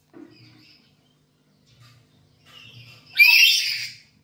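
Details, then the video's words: Home-kept black-capped lory used as a training lure: soft faint chatter and low murmurs, then one sudden, loud, rasping screech lasting nearly a second near the end. "Pancingan Burung Nuri Kepala Hitam di rumah"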